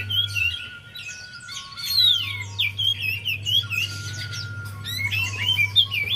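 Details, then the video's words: Javan white-eye song used to prompt a silent bird: continuous high twittering and warbled whistles in several bursts, accompanied by a thin steady tone and a low hum. "Pas Banget#Buat Pancingan Untuk Poci Yg Malas Bunyi"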